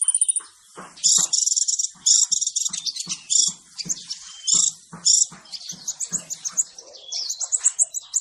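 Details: Male sunbird song used as a trapping lure: rapid, high-pitched chirps and trills in bursts separated by short pauses, with faint low clicks between phrases.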